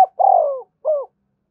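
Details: Spotted dove coo in 'thúc gù' style, used to spur decoy birds to call: one long smooth falling note followed by a shorter arched note, clean and close.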